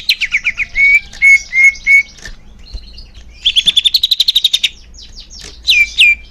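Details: Greater green leafbird song used to make caged birds sing more: clear whistled notes near one pitch, then a fast run of about fifteen buzzy chattering notes, and a final rising-falling whistle.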